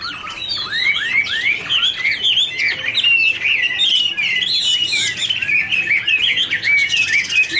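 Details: Dancing Chinese hwamei duet, wings fluttering: a busy, rapid warble of short curved whistles packed closely together, loud and continuous throughout.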